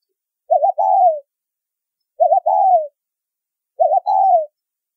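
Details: Spotted dove calling in the 'thúc rút bổi' style, low whistle-toned, from bird-trapping material. Three even calls about every 1.6 seconds, each a brief trembling note followed by a drawn-out descending coo. Nothing else is heard.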